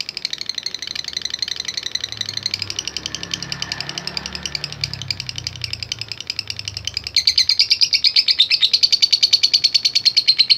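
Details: Fighter lovebird ngekek chatter, played as a lure to provoke other lovebirds: rapid shrill chattering partly masked by a low rumbling rattle, becoming loud and clear in the last few seconds.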